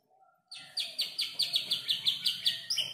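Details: Young canary about five months old, singing phrases copied from tutor birds such as ciblek and prenjak lumut; a quick series of evenly spaced bright chirps about four per second after a brief quiet start, with faint background hum.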